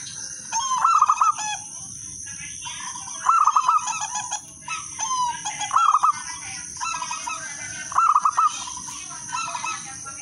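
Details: Local zebra dove singing energetically with a clear, melodious rhythm, meant to lure other doves to sing. Soft cooing phrases of rapid stuttered notes, each ending in a held note, come roughly every two to three seconds against a constant hiss.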